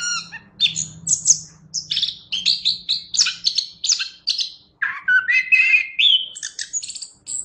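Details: Active singing by a chestnut-capped thrush in a songbird training recording: quick jumbled chirps and twitters, then lower, fuller whistled slurs near the end, with a faint low hum early on.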